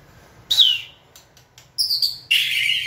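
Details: White-rumped shama being trained to sing on a person's cue gives three short, high, bright bursts: a downslurred whistle, a thin high note, then a sharper rasping phrase, with brief silences between them.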